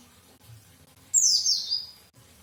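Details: Single loud white-eye phrase: a high, sweet, rapid twitter that drops steadily in pitch over about a second against faint background hiss.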